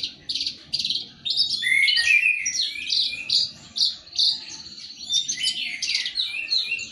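A Javan bush lark practises its song: a fast, continuous run of high, sharp twitters and chirps, varied and unsteady, with a faint background hum.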